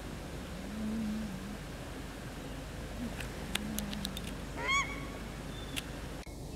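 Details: Male and female paradise shelducks calling as the male eats grass: low drawn-out honks early on, then a sharp rising nasal call with clear harmonics, with clicks and faint whistles around it over steady low noise.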